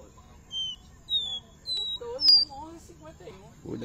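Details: Black-bellied seedeater kept in a cage in Recife, eating estrelinha seeds on 30 July 2021, utters a series of thin, steady whistles climbing in pitch, followed by softer chirps, a click and background television voices.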